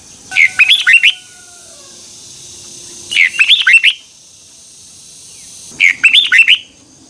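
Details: Red-whiskered bulbul morning training song, 2021, in double twisting voice used as tutor sound for other bulbuls: three matching bursts of six lively warbled notes, evenly spaced about every two and a half seconds, with quiet between them.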